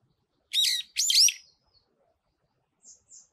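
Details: A brown-eared bulbul singing atop a pine tree gives two loud, shrill, squealing phrases in quick succession, followed after a pause by two faint, thin high notes.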